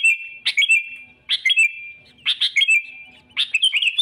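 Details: Sooty-headed bulbul calling to lure rivals into traps: pairs of sharp chips, each followed by a short clear whistle, repeated about once a second.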